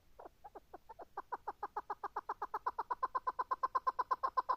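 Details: Chukar partridge giving a loud, accelerating run of rhythmic chuck notes that start spaced and speed up into a rapid, even chatter lasting several seconds.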